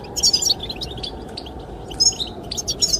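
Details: Goldfinch singing to attract the female: a quick, high twittered burst, a short lull, then more bright, tinkling notes, over wind noise.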